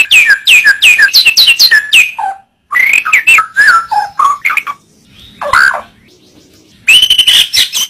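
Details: White-rumped shama tutor recording: fast rapid-fire sharp whistled notes, about three per second, then a varied phrase of slurred whistles and a drawn-out swooping note after a short gap.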